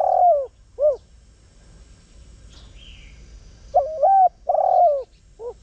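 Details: Spotted dove, known locally as cu gáy or cu đất, a village and rice-field bird, calling to lure others: low cooing phrases with a short coo, a rising two-part coo, a long burred coo and a brief closing coo, with quiet gaps.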